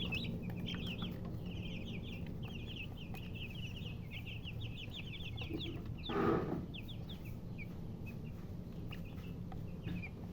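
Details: Chicks chirping in a fast continuous run of short high peeps, interrupted around six seconds by a brief broadband rustle or scrape, then sparser peeping, low hum behind.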